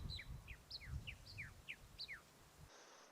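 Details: Stolid flycatcher (locally "Big Tom Fool"), a Caribbean endemic, perched atop an acacia in dry limestone scrub on Jamaica's south coast at Hellshire, giving quick paired high thin downslurred whistles, several pairs in three seconds, over rumbling wind.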